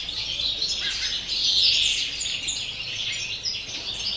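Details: Campero European greenfinch in pure song, dense fast twitters and rolling trills that swell in the middle and then continue steadily to the end.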